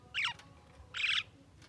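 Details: Javan myna, described as able to talk, producing two short, rough, broadband squawks nearly a second apart, the first dropping slightly in pitch, against a faint low background murmur.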